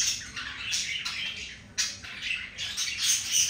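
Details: Caged budgerigar pair mating; rapid raspy chatter with squawks, notes tumbling about three per second, harsh and buzzy, loud bursts near the middle and end.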